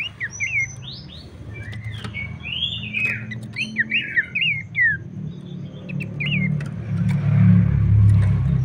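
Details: Abbott's babbler song used to encourage other babblers to sing: a lively series of looping, rising and falling whistles, then a growing low rumble near the end.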